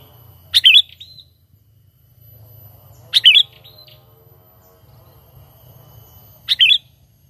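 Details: Sooty-headed bulbul call played as a trapping lure: three brief bright chirped phrases with a quick downward twist, spaced about three seconds apart, over a soft low rumble.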